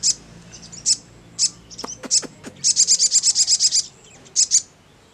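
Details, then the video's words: Crimson sunbird delivering ngleper song: scattered high thin chips and a few lower clicks lead into a quick, even run of about a dozen piercing high notes, then two final chips. "SOGON MANAPUN CEPAT NYAUT NGLEPER"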